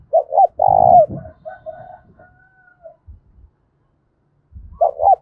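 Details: Spotted dove giving a loud, ringing 'thúc bổi' challenge coo used to provoke fighting: a quick double note and a drawn-out, slightly falling coo, repeated near the end, with low thumping and rustling noise between phrases.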